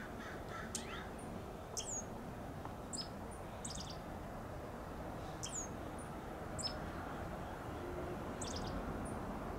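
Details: Dark-eyed junco in flowering bougainvillea, giving sharp, high, clipped chirps in loose bursts every second or two, some doubled. A lower, harsher call sounds near the start, and there is a constant low rumble behind.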